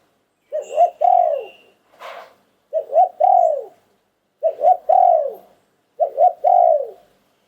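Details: Spotted dove singing in the luitan karom style. Four cooing phrases, each of two quick rising notes and a longer arched coo, repeat about every one and a half seconds against a silent background.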